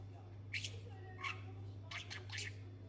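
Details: Pet budgerigar that talks and learns new words gives a few separate harsh, squawky speech-like bursts with pauses between, while a low steady hum runs throughout.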